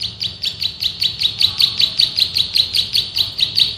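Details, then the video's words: Male bar-winged prinia song for training cage birds, drilling ngebren delivery: a fast row of bright, high, clipped notes, about two and a half each second, building slightly in strength. "MASTERAN BURUNG PRENJAK SAWAH GACOR, NGEBREN TEMBAKAN RAPAT SUPER ISTIMEWAH"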